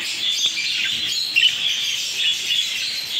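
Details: Home-bred African lovebird chicks from a breeding pair giving a constant stream of thin, high squeaky chirps, with a short louder burst of peeps partway through.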